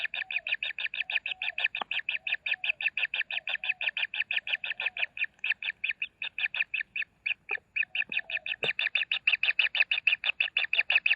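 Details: Nestling common kingfishers being fed make a steady run of rasping, high pulses about four per second, briefly faltering midway before resuming more loudly, with a few faint knocks underneath.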